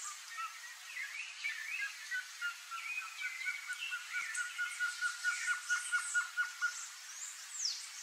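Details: One of a pair of blue-crowned trogons gives a steady run of short, hooting notes, about two a second, growing louder; other birds chirp and whistle higher behind it.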